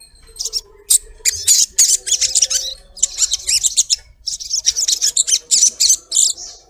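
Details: Female collared kingfisher calling the male: a dense stream of harsh, rasping high notes delivered about three per second, broken by short gaps, with a faint lower hum underneath.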